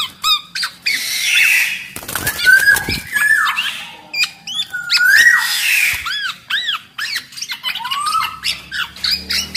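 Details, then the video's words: Black-naped oriole singing, a recording meant to prompt other orioles to sing: clear swooping whistled notes between quick bursts of sharp chirps and a brief harsh rasp near the start. "PODANG MAS GACOR kicau suara burung kepodang"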